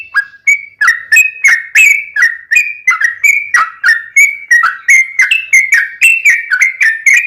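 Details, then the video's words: Yellow-vented bulbul giving a rapid 'ropelan tembus-tembus' song, filled with 'ngelituk' and straw-headed-bulbul-like phrases, used as a tutor and lure for kept birds. Sharp clipped notes, each dipping or rising, repeat about three per second without pause. "Trucuk Kicau istimewa Ropelan Tembus-tembus isian Ngelituk Cucak Rowo'an"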